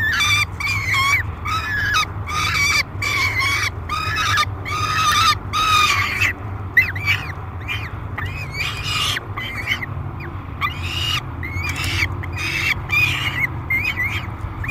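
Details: Feeding time at the Great Spirit Bluff peregrine falcon nest box, July 3, 2021: a noisy falcon keeps up rapid harsh screams, many short rasping cries in quick bursts, some quavering, with a continuous low hum in the background.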